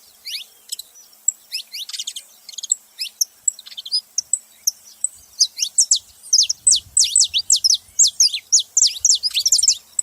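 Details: Saffron finches calling as a group: a quiet start of scattered high chirps swells into a busy, rapid chatter of sharp downslurred notes, nearly two per second, irregularly spaced.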